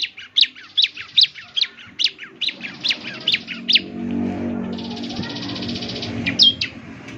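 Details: Ciblek song meant for morning playback so other birds answer; a run of sharp high chirps fills the first half, then a buzzy, droning background sound takes over with a couple more chirps.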